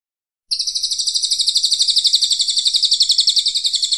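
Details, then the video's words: Brown cililin song used as a training recording for contest birds: a loud, rapid, rattling trill of high, buzzy notes, about four per second, holding steady in pitch for several seconds with no other sounds. "CILILIN COKLAT Gacor"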